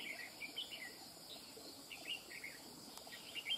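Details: Wild-caught red-whiskered bulbul delivering cầu cánh mỏ song almost without pause. Quick chirpy, whistled notes tumble in short bursts through the clip, set against continuous insect trilling.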